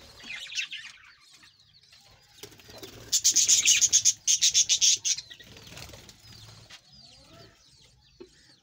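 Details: Australian parrots in a breeding colony: a loud two-second burst of rapid, high, scratchy chattering pulses, about a dozen in quick succession, set among softer scattered twittering chirps from many birds before and after.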